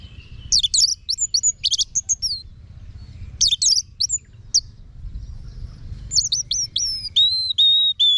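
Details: Orange-headed thrush tutor song. Busy groups of fast high chirps and slurred notes repeat, followed near the end by a run of clear, evenly spaced whistles.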